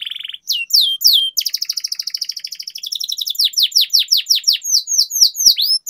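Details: Tutor song of a canary in the long-roll style. A short buzz and two slurred whistles give way to a long rapid rattling trill, then a string of quick downswept whistled notes.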